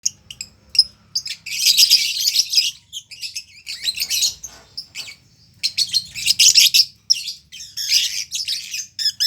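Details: Lovebird giving a long ngekek song: dense, shrill chattering bursts lasting one to two seconds, broken by short pauses, and loud, rapid, scratchy high trills that recur throughout.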